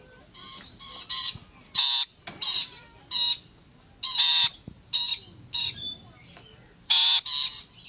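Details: Rainbow lorikeets singing while climbing a fence: a run of loud, harsh, grating squawks in short bursts, each under half a second, coming in quick irregular succession.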